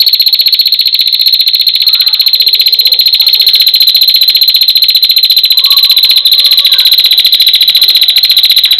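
A female prinia keeps up a fast, even run of high, dry ticking notes, nearly four a second, with faint lower sounds in the background.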